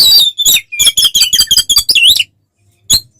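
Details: Oriental magpie-robin in fighting mode, loud song meant to provoke other birds: a fast run of sharp, harsh chirps and rasping notes, then a twisting whistled phrase, a pause and one last sharp note.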